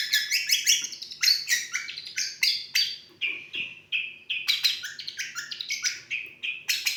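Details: Long-tailed shrike singing a lovebird-filled, intricate mimicry: fast, varied, sharp chirps and harsh squeaky notes tumbling in uneven bursts, high and bright, with a brief lull midway before the chatter resumes.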